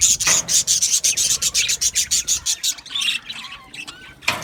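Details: Budgerigars in an aviary colony, singing and chirping: a steady series of bright, scratchy chirps about four per second, then looser warbling and a final loud burst.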